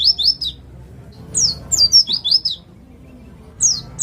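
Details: East Java white-eye, ngalas type, serving as a singing lure: short bursts of high, sweet downslurred whistles separated by quiet gaps of about a second.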